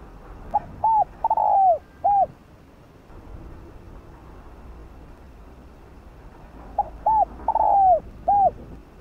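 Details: Decoy spotted dove calling to draw in other doves, giving two matching phrases about six seconds apart, each of short soft coos rising to a drawn-out descending coo and a closing note, over quiet hiss.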